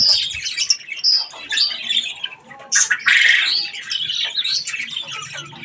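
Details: Budgerigars, several parakeets, calling while eating strawberries: a dense, continuous warbling chatter of squeaky, scratchy chirps and squawks layered together without pause.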